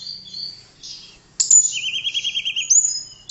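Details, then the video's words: Tledekan, a blue flycatcher, singing a training-song recording: soft high whistles, then a sudden loud sharp note leading into a wavering, warbled trill and a final upward-flicked whistle. "Kicauan Merdu TLEDEKAN Keren Buat Mastro Voice Tledekan Gacor"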